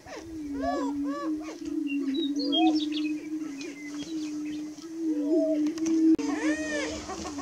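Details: At dawn on 30 March 2018, greater prairie chickens keep up a low, steady droning hum, broken by bursts of looping cackles and whoops, with thin chirps of other birds higher up.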